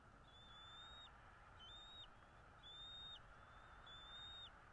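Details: Bald eagle at its nest in northeast Florida, 13 February 2022, 08:08 in the morning. Four long, steady, high whistled notes, each about a second, each ending in a quick downward drop. They repeat roughly every 1.2 seconds over a steady background hiss.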